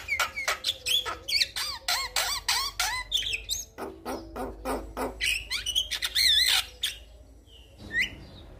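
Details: Vocal male Javan myna calling for a female, a lure for quiet birds: quick bent whistles alternate with scratchy squawks and clicks in a busy, irregular stream, ending in a few softer notes.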